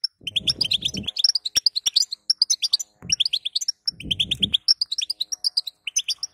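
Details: Goldfinch female calling to set a male singing: lively, high, twittering notes in quick succession over two phrases, each opening with a low rustling burst.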